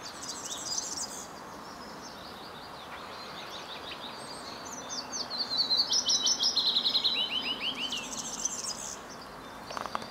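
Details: European serin (Serinus serinus) singing in Savitaipale town centre, Finland, on 16 May 2012: fast, high, jingling and buzzy twitters in sputtering bursts of a few seconds each, over a steady low background hiss.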